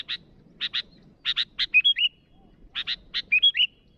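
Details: Sooty-headed bulbul calling at rivals: paired harsh chips building into a run, then a bright rising and falling whistled phrase, heard twice in quick succession.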